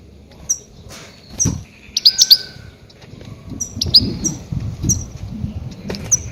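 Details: Goldfinch lure calls for trapping grey-headed goldfinches: scattered sharp, high chirps and a few short twitters over a low rumbling background.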